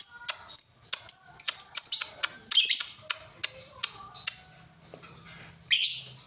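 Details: Lovebird ticking in a ngetik sequence: quick series of sharp, high clicking chirps, some doubled, speeding up then spacing out, with a harsher buzzy squawk near the end.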